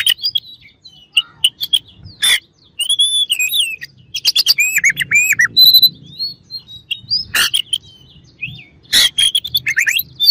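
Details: Oriental magpie-robin rival bird singing to provoke others: piercing whistles, rapid trilled and looped phrases in the middle, punctuated by loud harsh broadband calls; low background hum present.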